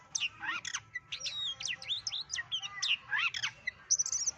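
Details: White-legged Oriental magpie-robin native to West Sumatra producing quick, harsh-edged chattering notes and swooping whistles in a busy run, ending with a high, thin trill.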